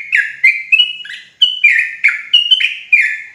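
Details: A Javan yellow-vented bulbul (trucuk) gives a lively, bubbly, chattering run of about nine quick liquid notes, some slurring downward, in a steady mid-high phrase with no other sounds.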